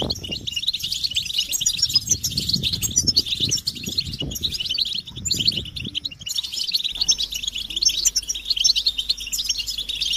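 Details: European goldfinches chattering as a group in a stimulation recording of mating calls; continuous high twittering with soft low thumps and rustling in the first part, then a faint steady hum.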